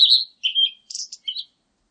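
A Blue-and-white Flycatcher gives four quick, clear, high whistled notes within about a second and a half, some sliding and some slightly buzzy. No other sound is heard.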